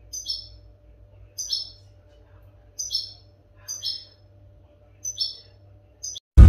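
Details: European goldfinch song for schooling caged goldfinches: clear high chirped bursts repeated roughly every second, separated by near silence over a soft hum, ending in a sudden loud noise burst.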